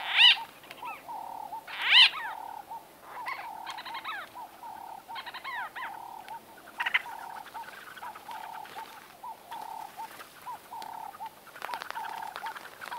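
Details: Close-range conversation among White-fronted bee-eaters: two loud, squeaky, bent calls near the start, then a run of softer rolling, bubbling notes and scattered burry calls overlapping throughout.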